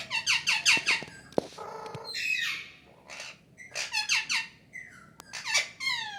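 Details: Pet parrot talking indoors, with quick runs of harsh, squawky syllables in bursts and short rising whistled notes between them.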